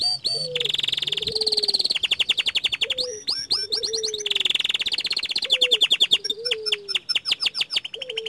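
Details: Young canary, small standard type, singing continuously: long buzzing trills alternate with rapid ticking note series and bright upswept whistles, with soft lower slurred whistles recurring underneath.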